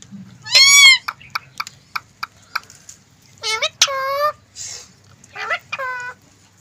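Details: Green ring-necked parrot talking: a loud rising nasal squawk, a string of short clicks, then repeated raspy speech-like phrases with stepped, falling tones.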